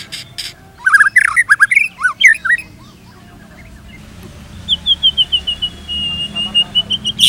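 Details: White-rumped shama singing: two quick buzzy notes, then a burst of looping whistled phrases that rise and fall, a pause, then a steady series of about a dozen sharp, evenly spaced chips with faint background hiss.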